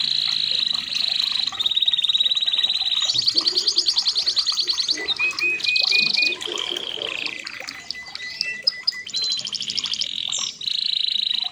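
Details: Red canary, kept for breeding and used as a training song for other canaries, singing a long run of rapid trills and rolls around high pitch, with buzzy bursts, short repeated whistled notes and a few brief pauses.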